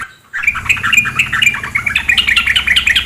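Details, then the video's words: Female sooty-headed bulbul giving a busy, uneven chatter of squeaky, chirping notes that rise and fall, continuing to the end over a soft murmur of flowing water. "terapi suara trukcuk betina"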